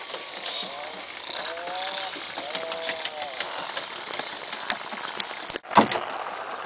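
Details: Razorbills during pair bonding and posturing give a few drawn-out, arched, groaning calls with a rising then falling tone, repeated about three times, over steady background hiss and a sharp knock near the end.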